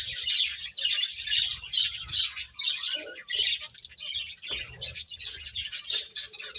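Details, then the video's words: Finches eating, a flock producing continuous high-pitched chirps and squeaky twitters in pulsing bursts, one brief dip partway through, faint low knocks below. "Cute Birds Chirping Sounds | Beautiful Finches Eating"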